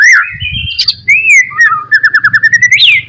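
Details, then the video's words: Rival-provoking song of a white-rumped shama: rich sliding whistles, then a fast trill of about a dozen even notes rising into a high bright flourish, over a faint low hum. "SUARA BURUNG MURAI BATU"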